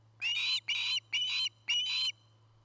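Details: Osprey on the nest at Charlo, Montana, recorded by a nest camera, 09-08-2018: four drawn-out, slightly harsh high whistles, some in linked pairs, above a quiet steady hum.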